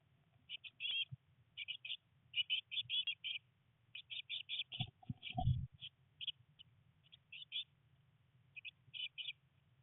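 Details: Three blue tit chicks in their nest box on day 19, rainy, beginning to try flying; short groups of high chirps repeated at intervals, with a brief rustling, thumping patch midway over low hum.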